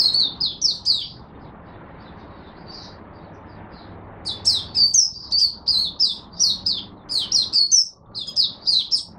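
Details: Oriental white-eye, a caged song bird in Singapore, 23 March 2023, in humid, warm, overcast, rainy weather: quick high chirps, a quiet gap with one soft note, then a long lively stream of rapid, sharp, high twittering phrases.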